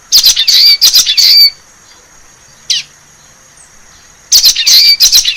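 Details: In a forest, a wild common waxbill delivers a short burst of nasal, buzzy high notes, falls quiet apart from one brief click, then resumes the same harsh chattering phrase.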